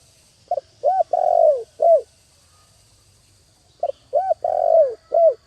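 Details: Spotted dove used as a lure bird, cooing to call others: two phrases of a short note then three deep coos, the middle one drawn out and falling, repeated after a pause.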